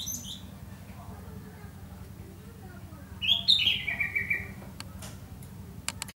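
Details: Java sparrow kept at a house: a few high chirps, then a quick run of bright, tinkling notes stepping downward, with sharp clicks at the end over a steady low hum.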